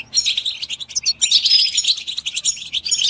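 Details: Group chirping of European goldfinches, mating and readiness calls meant to rouse silent caged males into song: dense, continuous high twittering with rapid tinkling notes and short trills throughout.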